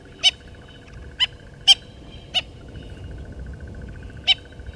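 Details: Natal spurfowl family at Gowrie dam waterhole, Djuma Game Reserve, Sabi Sand Wildtuin, South Africa, 09/11/19, caught by a live waterhole camera: five loud, rasping, grating bursts at uneven intervals over a steady thin whine.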